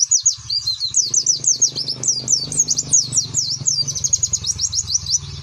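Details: Rapid 'nembak' (shooting) song of a white-eye: a continuous stream of very high, twisting chirps and trills, several each second, over a steady low background hum.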